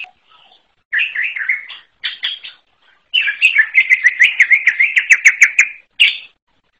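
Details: Greater green leafbird, forest type (cucak ijo alas), singing in short warbled bursts separated by pauses. These build into a long, fast, rhythmic trill of repeated whistled notes, and a final brief phrase closes it.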